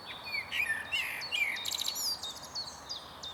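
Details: Male blackbird on a stump at Huys te Warmont Estate, 22 April 2022: quick sequence of mellow whistled slurs, followed by a sharp high twittering flourish, with other birds calling faintly behind.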